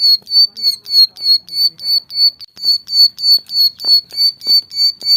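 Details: Ciblek sawah, the bar-winged prinia, in a lively tutor recording: a steady run of piercing, clipped high notes about three per second, slightly uneven in spacing, over soft low knocks and rustles.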